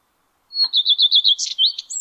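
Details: In May 2022, a male Common Redstart sings from a spruce top. A short high note leads into about six repeated bright whistles, then a brief jumble of scratchy and fluting notes ends the phrase.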